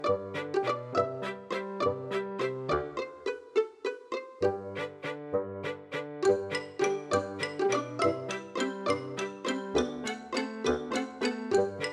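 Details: Plucked string music with a steady bouncing rhythm of bright, evenly spaced notes fills the recording, with no animal sounds present.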